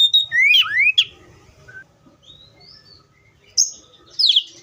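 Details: Oriental magpie-robin song: a short burst of sweeping, slurred whistles, then quieter scattered high notes over a faint low rumble, ending with a sharp high phrase.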